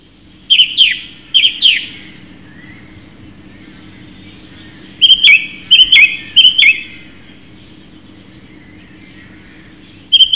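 Song thrush singing loud, clear whistled phrases, each repeated two or three times in quick succession, with pauses between bursts over a low steady hum.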